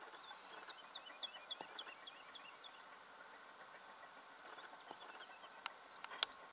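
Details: Bird singing at a distance: quick run of short, high chirps in the opening seconds, then scattered thinner notes and a few sharp clicks against a steady outdoor hiss.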